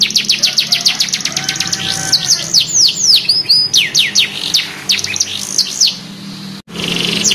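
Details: Young canary learning to sing, responding right away: quick repeated high notes, then varied buzzy sweeps and curled whistles, a brief break, and a fresh rapid trill.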